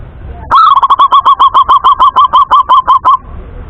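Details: Male local zebra dove from Indonesia giving a clear song: a rapid, even string of about sixteen short staccato coos near the same pitch, each with a faint higher overtone, lasting under three seconds, then quiet.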